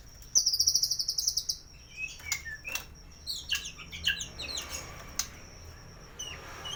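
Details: White-rumped shama with a full-repertoire "isian" song, used to prompt silent birds to sing: a rapid, high, rattling trill, then scattered sharp, varied whistled notes over steady background hiss.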